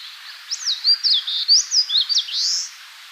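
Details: Eastern crowned warbler song recorded in the wild at Tainai, Japan: one loud, clear phrase of about eight rapid high slurred whistles, finished by a long rising buzzy note, the "chiyo chiyo bii" pattern, against quiet background.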